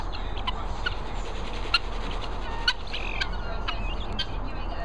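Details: Hungry guinea fowl give short, harsh, clipped calls in scattered bursts over a steady low rumble.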